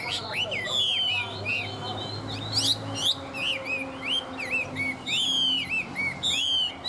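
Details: Chinese hwamei, tame and singing strongly: long whistled slurs and rising sweeps, varied warbling phrases with sharp high accents, delivered continuously, over a low steady hum in the background.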